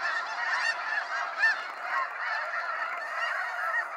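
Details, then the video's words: Snow geese in a sunset fly-out at Sacramento National Wildlife Refuge, a loud steady roar of many honking birds, with one sharper call standing out near the middle. "Waves of Snow Geese Sunset Fly-out"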